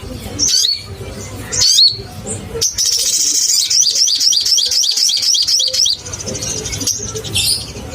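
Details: Crimson sunbird song played to stir caged birds into singing: a few sharp high chips, then a sustained buzzy trill of rapid repeated high notes lasting about three seconds before more single chips.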